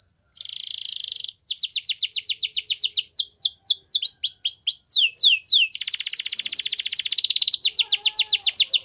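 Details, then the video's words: A male Belgian canary sings a fast, varied song: bright buzzy trills, rapid repeated swooping notes and dense rolling tours, all high-pitched and continuous. "Canary Sounds Male | Belgian Canary Singing"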